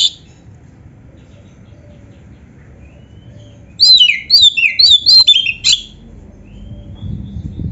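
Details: Oriental magpie-robin singing 'gacor full isian': quiet at first, then about two seconds of loud, bright chirping phrases falling in pitch, repeated several times before fading back to near silence.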